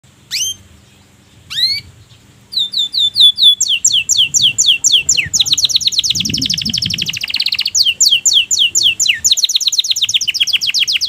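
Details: Canary in breeding condition singing: two separate high downslurred notes, then long fast trills of repeated sweeping notes that speed into a dense rolling buzz, with faint low background murmur.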